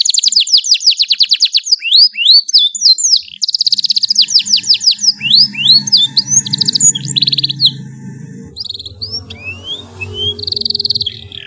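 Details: Canary in full, lively long song, used as a master recording for young birds: rapid high trills and rising whistled slurs, repeated about three times a second, with a faint low hum beneath.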